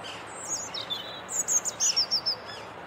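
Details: European robin singing in a rose garden during a lull in Christmas music from a funfair: a short phrase of high, thin warbled and trilled notes, sliding up and down, ending in a rapid series of bright, clear notes; faint background noise.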